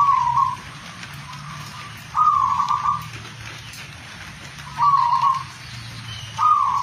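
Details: Zebra dove, a local bird, giving short purring, trilled coos spaced a couple of seconds apart against a low constant hum.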